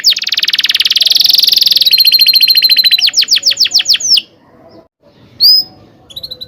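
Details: Canary song used as a tutor for young canaries: a dense buzzing roll, a fast rattling trill and a run of sharp sweeping notes, followed by near silence and a few isolated high chirps.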